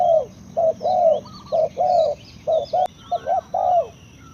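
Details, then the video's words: Spotted dove giving a steady run of short, mellow coos, some doubled and partly overlapping, about one a second. Thin high chirps of other birds and a constant low rumble sit in the background, with a sharp click near the end. "Sound Of Spotted Dove is so good"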